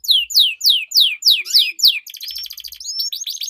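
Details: Canary song used as a lure to train competition birds: a rapid series of descending whistled sweeps, then a fast buzzy trill with upward-slurred notes, clear and loud.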